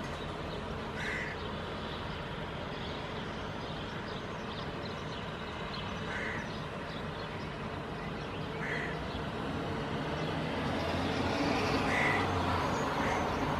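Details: Hooded Crow fledgling vocalizing while walking and hopping in a park in Helsinki, Finland, in June 2022; four short harsh calls spaced several seconds apart over a steady low background rumble.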